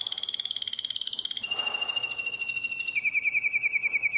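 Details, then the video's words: Singing domestic canary, nightingale-voiced style, Drama, Greece, 2017: an unbroken rapid trill that shifts downward in pitch in steps, each section a fast, regular series of pulses. "Αηδονόφωνο Καναρίνι"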